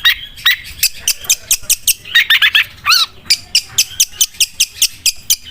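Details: Sewing-machine style song of a long-tailed shrike: a continuous rattling chain of short, sharp notes, briefly broken by a squeaky, rising-falling phrase, then resuming its steady rapid stutter.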